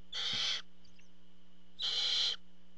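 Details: Father barn owl bringing food to the nest, met by two drawn-out, noisy hissing screeches about a second and a half apart, with a low continuous hum and a soft faint chirp between them.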